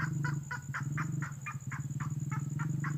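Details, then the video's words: Red-headed lovebird call used as a lure so birds answer and approach: coarse chirps spaced about a quarter second apart, set against a heavy low droning rumble. "SUARA PIKATAN BURUNG TENGKOAH MERAH"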